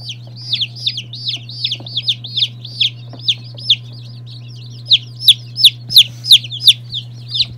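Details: Day-old chicks of various breeds, including Lavender Orpingtons, Marans, Silkies, Seramas, Legbars and Salmon Faverolles, peeping in rapid, high, downward-swept notes repeated almost three times a second, louder toward the end, over a steady low hum.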